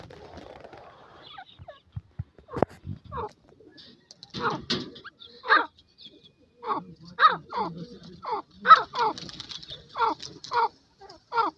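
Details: Francolin (teetar, Dakhni teetar) giving a rapid series of loud, harsh, descending notes, roughly two each second, after a few scattered clicks and knocks at the start.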